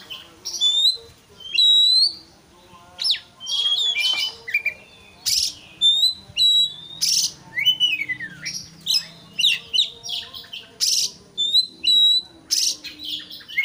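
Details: Long, varied white-rumped shama song played to stir a rival into persistent singing, with a dense run of sharp chips, whistled notes and noisy bursts repeated roughly every half second.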